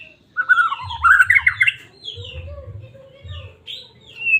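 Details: Singing white-rumped shama from Medan, used as a trigger for caged birds: a rich, fast warbled phrase in the first second and a half, then softer high whistles and a drawn-out ending note, low hum throughout.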